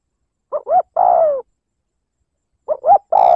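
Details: Spotted dove calling to lure and provoke a rival: a pair of quick upswept coos then a drawn-out descending coo, repeated twice with a pause between, nothing else audible.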